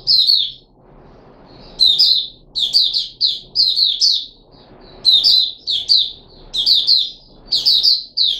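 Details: Puteh Raja red-whiskered bulbul, a kept bird fed special fruit juice, one mealworm and a health supplement, recorded 13 April 2021; bursts of sweet, fluttering whistled notes, repeated in quick groups with short pauses, over a soft low hum.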